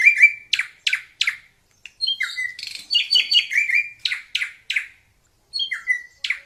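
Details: Wild drongo in melodious song, mixing sharp clicking strokes with falling whistles and a dense stretch of scratchy, overlapping chatter, several short pauses between phrases.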